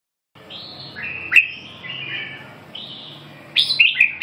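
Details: Red-whiskered bulbul singing a short series of clear whistled notes, some sliding upward and others level, followed by a quick burst of bright, sharp chirps at the end.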